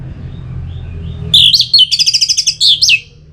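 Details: Song of an orange-headed thrush, anis merah, played in northern Bali to stir birds into singing. After a quiet hum, a bright one-and-a-half-second burst of rapid, high, metallic notes with two swooping whistles.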